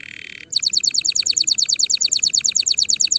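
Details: A canary sings a song meant for tutoring young birds: a brief buzzy rattle, then a fast, even trill of bright, piercing notes repeated about eight times a second.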